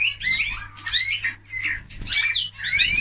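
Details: Eurasian bullfinch singing: bursts of quick rising whistled slurs and creaky chirps, pausing briefly around the middle and near the end, over a steady low hum.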